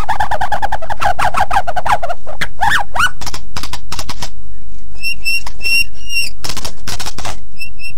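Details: Gacor white-rumped shama singing for birds to learn from. Low, harsh, rapid churring notes come first, then a few slurred notes, and finally a series of clean high whistles spaced about half a second apart.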